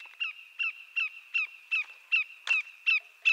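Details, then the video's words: Evenly paced loud descending whistles of a greater yellowlegs, a large North American shorebird, about three per second, clear and ringing over a steady thin high background tone. "Greater Yellowlegs Sound"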